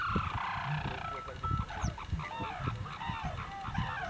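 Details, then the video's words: Sarus Cranes at Dhanauri Wetlands, Greater Noida, India, give loud, brassy clarion trumpeting in a continuous honking chorus while a Great Bittern listens, with low rumbling, loud music from a farmer's tractor and brief speech. "Clarion Calls from Sarus Cranes"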